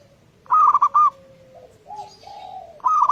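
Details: Local zebra dove in song, a lure to make other doves sing: a quick run of four bright, looping coo notes, then lower, softer, drawn-out coos, and the bright phrase starting again at the end.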